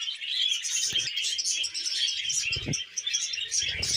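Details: Cheerful budgerigar twittering rapidly in a dense, scratchy warble, punctuated by soft low taps.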